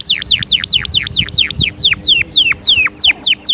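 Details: Canary song of repeated slurred whistles, each dropping sharply in pitch, delivered at about four per second, with later notes stretched longer and sweeping lower.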